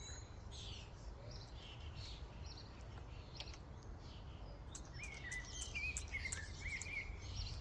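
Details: Faint chirps from a flock of common starlings at a feeding station swell into a burst of wavering whistles and dense clicking chatter in the final seconds, with a constant low hum behind.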